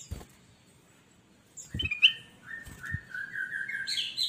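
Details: Kutilang emas bulbul in loud song, used as a master recording to coach quiet newly bought cage birds; clear whistled notes slide and waver through a long phrase, with a few soft knocks at the start.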